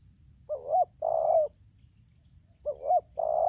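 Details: Coo phrases from a spotted dove used as a lure against a wild bird in Lampung, 'tarik akar selang nguku' style. Twice a brief note and a rising coo lead into a long sustained coo, separated by a quiet pause.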